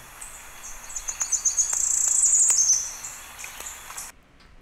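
Tropical Parula song: a very high, thin buzzy series of rapid notes that speeds into a sizzling trill before stopping abruptly.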